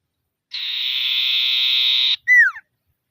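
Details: Common iora in full voice calling rivals, a 'ngetir' lure to set silent birds singing: one long buzzy high trill held about one and a half seconds, then a short whistled note slurring downward, in silence.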